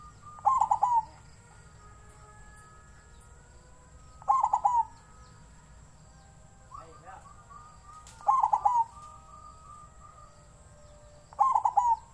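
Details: Zebra dove, a captive-bred bird, giving the wild-type song style: short bubbling trilled phrases repeated about every four seconds, with quiet background noise between them.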